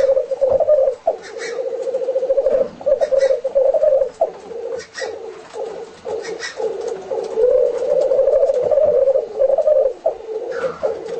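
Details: Black grouse in display, filmed at home: a continuous low bubbling, cooing roll held at a steady mid-low pitch, with brief gaps and restarts every second or two and faint clicks above.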